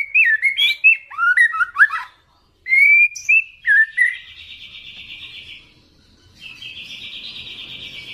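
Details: Loud song of a young spotted-plumage white-rumped shama provoking a rival: jumbled whistled notes with sharp accents, a pause, more clear whistles, then a long buzzy trill.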